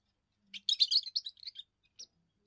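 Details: First song of a young European goldfinch, used to claim territory and attract females: a short, dense burst of high twittering and buzzy notes lasting about one second, followed by a single faint chip.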